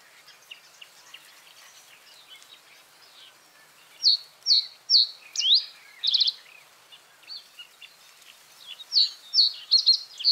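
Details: Reed bunting song built from brief bursts of high clipped notes. A quick run of chirps, a rattling trill and an upslurred note are followed by another short chirpy phrase, over faint twittering from other birds in the background.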